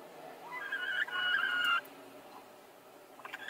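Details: Hen competing with another hen to lay an egg in the same place at the same time; a drawn-out nasal call with harmonic bands, held for about a second and ending abruptly, over quiet background hiss.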